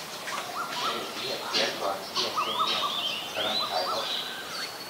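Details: Asian koel calling: short rising whistled notes repeated in quick series, mixed with other birds' chirps and sweeping whistles higher up.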